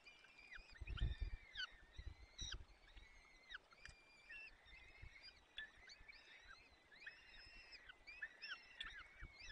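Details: Peregrine falcon nest, Barycz Valley, Poland, afternoon of 30 April 2020; the male tears prey and feeds the waking chicks. Short, thin, bending wail notes come in quick strings, with low thuds and knocks at the nest.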